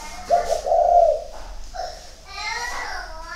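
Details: Spotted dove kept at a dove garden in Ba Vì, Vietnam. Low, soft cooing notes: a short note, then a longer drawn one, then a brief final coo, followed by human speech.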